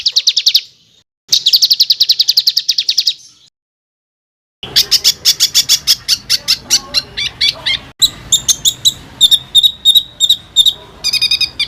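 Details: Rough rolling songbird material for tutoring fighter birds: two dense rapid trills separated by silence, then varied quick repeated notes and short rattles over faint background noise.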